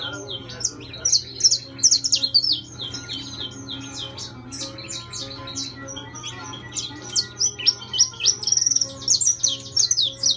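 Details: Intense-yellow saffron finch, a kept bird, singing in irregular spurts of high, sharp chirps with quieter gaps between phrases, a constant low hum throughout.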